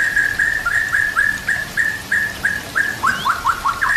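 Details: White-rumped shama, recording for training other birds: a steady series of about a dozen short, level whistled notes repeated every quarter second, ending in a faster run of rising slurred notes, over faint water-like hiss.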